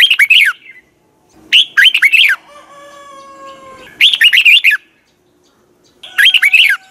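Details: Red-whiskered bulbul singing a morning training song in the double twisted-voice style: four short bursts of warbled, rapidly rising and falling notes about two seconds apart, with a faint steady whistled tone between them.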